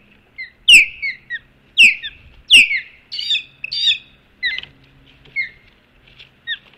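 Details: Osprey pair at their Hog Island nest with an intruder around, 20 April 2016, midday; three loud, shrill descending chirps are followed by quieter, scattered whistled notes.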